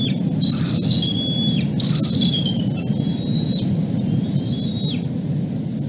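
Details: Bald eagle eaglet crying out from below the nest after it fell or jumped after a dropped fish, while an adult and its nestmate watch from the nest; thin, high whistled cries with harmonics, some sliding downward, over a steady low rumble of wind.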